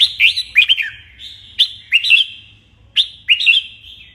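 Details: Caged red-whiskered bulbul singing during morning training, giving short, bright whistled phrases about once a second, each a slurred rise then fall, with brief pauses between them.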